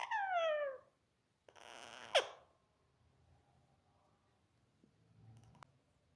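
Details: Pet Indian ringneck (rose-ringed) parakeet taught to talk, mimicking speech: a clear, falling voice-like phrase, then a harsh, rasping burst ending in a sharp squawk, followed by faint room noises.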